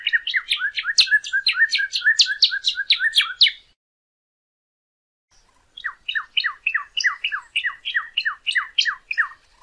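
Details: Song of a northern cardinal, used to teach caged birds to sing. Two long phrases of rapid, evenly repeated, down-slurred whistled notes are separated by a two-second silence.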